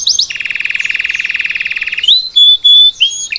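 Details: Salsa canary singing as a model for a young bird learning its song: a fast even rattle of about thirty notes per second, then pure sustained whistles broken by short pauses.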